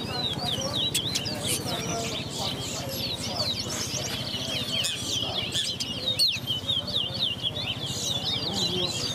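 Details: Fire red birds in a whistling competition at Lusignan bird ground, Guyana, sing quick, high, twittering phrases of sharp chirps and trills, nearly nonstop, while a man counts aloud over a steady low hum.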